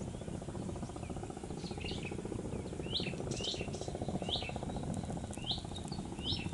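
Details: Shorebirds on the mangrove east coast of Aceh, Sumatra, Indonesia, uttering spaced, sharp, falling chirps about once per second, some doubled, against a droning low background.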